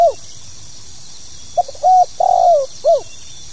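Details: Spotted dove (tekukur) giving a 'pokal tanggung' style call: a brief cut-off coo, then a phrase of short stuttered note, longer coo, drawn-out falling coo and final short coo, over steady high hiss.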